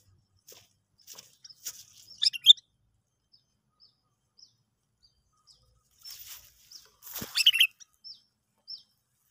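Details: Sooty-headed bulbul sound played as a trapping lure: scattered short high chirps, a cluster of sharp notes near the start and a dense burst of chirps later, with quiet gaps between.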